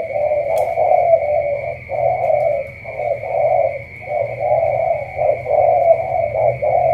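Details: Spotted dove of the Cà Mau tú style, giving low, husky coos run together in long, overlapping phrases, with a steady high whine and low hum behind.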